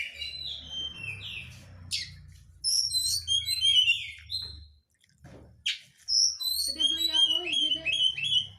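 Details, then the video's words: Oriental magpie-robin (kacer) crecetan chatter used to goad reluctant birds into singing: quick varied whistles and buzzy strokes, a short pause near five seconds, then a busy run of high chirps over a steady low hum. "pancingan kacer susah konslet dengan suara crecetan rapat awas kacer anda lansung ngamuk!"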